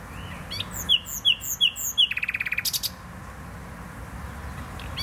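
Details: Nightingale singing in Poznań botanical garden, Poland: four loud sweeping notes, then a fast rattling trill of about a dozen clipped notes, followed by quiet.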